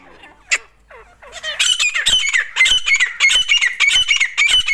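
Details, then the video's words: Grey francolins, a dakni bird and a desi bird fighting, with a desi female calling: a few soft notes, then a fast series of harsh, squawking, scratchy high calls, about a hundred a minute, uneven and chattering. "fight dakni teeter | with desi teeter | amazing awaz desi madi"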